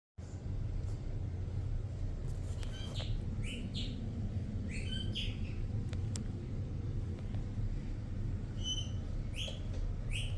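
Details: An albino conure chatters along to a TV show, giving short, high chirps and squeaky notes in scattered bursts over a steady low rumble of background noise.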